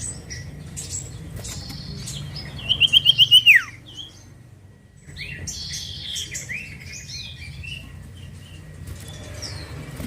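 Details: Common iora, locally cipoh or sirtu, in a lure recording: a rapid string of six whistled upslurs ending in a steep downward slide, followed by scattered faint chirps from other birds over steady background noise.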